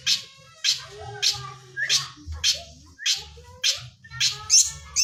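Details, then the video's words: Long-tailed shrike singing lovebird imitations: loud, harsh notes with short downward sweeps, roughly one every half second, against a quiet background hum. "cendet gacor isian burung lovebird"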